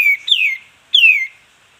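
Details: Sooty-headed bulbul (kapas tembak) in a recording played to teach caged birds: two clean, loud whistles, each starting high and gliding smoothly down, about 0.6 seconds apart, with silence between.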